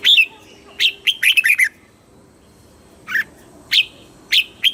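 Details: Red-whiskered bulbul song in the southern master style, used in Thailand to excite caged birds and teach young ones: an opening chirp, a rapid rolling string of descending warbled notes, a pause, then four spaced bright chirps.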